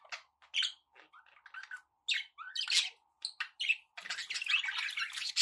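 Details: Domestic budgerigars warble and chirp in a rapid, scratchy stream of squeaky notes with short gaps, ending in a dense, steady burst of buzzy chatter.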